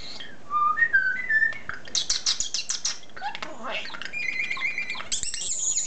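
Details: Pet common starling talking and singing indoors: rising whistles, a run of rattling clicks, wavering mimicked phrases, a steady held whistle and a high squealing buzz at the end.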